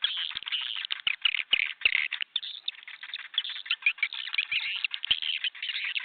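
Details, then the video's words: Swiftlet calls played to lure swiftlets to a new bird house: a dense, continuous stream of rapid buzzy chirps and twitters, many overlapping birds, sharply cut off above mid-high pitch with occasional clicks. "Âm thanh chim yến"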